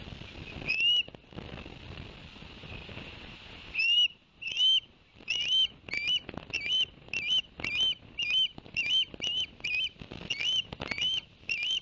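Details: Shrill whistled chirps from Ospreys at their Barnegat Light, New Jersey nest on 11 September 2021, after two fish arrived for the young: a couple of notes, a brief silence, then a long even series of rising whistles.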